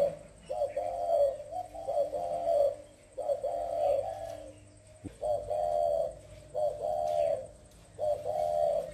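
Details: Spotted dove from Vietnam delivering repeated low coos at a softer level: short introductory notes leading into drawn-out hollow coos about every 1.5 seconds. A faint low hum and slight background noise run underneath.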